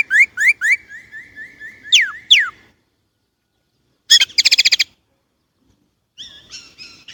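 A Chinese blackbird sings a run of clear, rising whistles ending in sharp downslurs, then a quick rattling chatter and a softer twittering phrase after short pauses.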